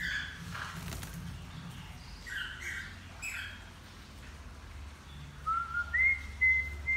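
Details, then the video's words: Young male cockatiel learning to sing: after a few seconds of faint soft chirps over low background hum, a clear whistled phrase slides upward, then holds a steady high note with a short break. "Calopsita Macho Aprendendo a Cantar"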